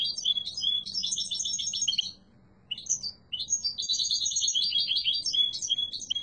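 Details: Yellow goldfinch mutation with strong, beautiful song: a busy twittering phrase, a short silence, then a longer run of fast liquid trills mixed with sharp high chirps.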